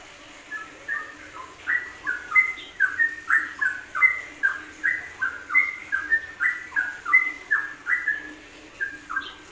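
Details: Yellow-vented bulbul in a long ropelan sequence recorded to train songbirds: a continuous chatter of bubbly, slurred fluty notes, rising and falling, packed closely for nearly ten seconds.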